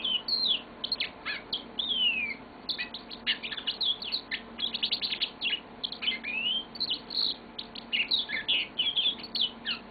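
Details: Caged yellow-fronted canary kept as a pet, delivering its lengthy song: dense runs of fast chirps, buzzy trills and slurred whistles, nearly continuous with brief gaps.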